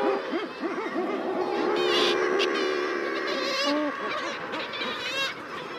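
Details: Common murre (guillemot) colony with birds arriving: wingbeats, footsteps and many overlapping low, growling, rolling calls, with higher wavering cries from kittiwakes and razorbills and a steady colony din throughout.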